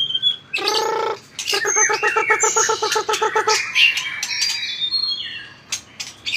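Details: White-rumped shama kept in a cage, singing competitively with tail-flicking; a low nasal buzzing run of about a dozen rapid pulses sits amid higher whistles and sharp clicks.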